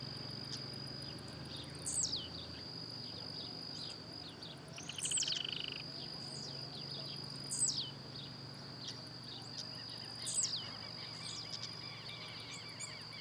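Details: Blue-black grassquit singing and hopping in nature: four thin, plunging high notes repeated roughly every two and a half to three seconds, plus a brief buzzy call midway, all over a steady insect whine.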